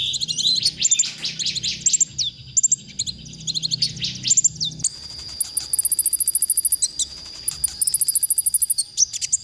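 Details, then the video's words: Masteran recording of a konin meant for training songbirds: a fast, tumbling twitter of high sweeping notes, then rapid runs of very high chips repeated in bursts over a sustained thin whistle-like tone. "masteran konin untuk bongkar emosi"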